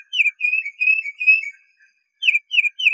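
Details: Tufted titmouse song: a run of four loud whistled notes, each slurring down, then a pause and three more matching downslurred whistles, clear and clean with no other sounds.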